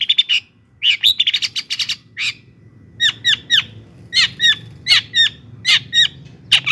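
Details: Song of a long-tailed shrike used to provoke rival shrikes into singing: quick chattering bursts, then paired and tripled downslurred chips in uneven clusters, with a low hum behind.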